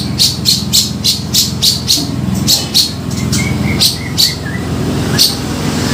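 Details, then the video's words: Lure call of a grey-cheeked bulbul for trapping birds: clusters of sharp high chips with brief pauses, plus a few lower, softer whistled notes, over a constant low mechanical hum. "Suara Pikat Cucak Jenggot Gacor"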